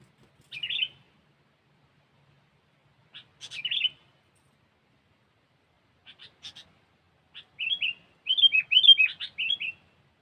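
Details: Sooty-headed bulbul used for bird luring, giving short high chirped note clusters at irregular spacing, the bursts growing busier and more rapid toward the end, with silence between.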